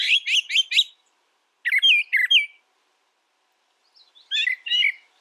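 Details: Brown thrasher song made of repeated notes in sets: four quick identical chips, then three doubled slurred notes, then a softer paired warble after a pause.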